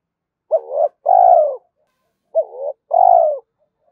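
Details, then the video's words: Cooing of a spotted dove used to draw in a rival bird, a mix of urging and calling coos; two phrases, each a short upswept note then a sustained descending coo, spaced about two seconds apart, nothing else audible. "tiếng cu gáy kích bổi nhanh nổi hiệu quả, tiếng thúc và gáy gọi"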